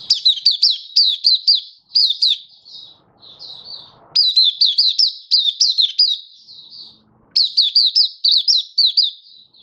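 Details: Happy open-singing oriental white-eye (mata puteh) in song display, 24 February 2023; very high, bright chirps slide downward in quick strings of five to eight, with softer twitters and a slight rustling between runs.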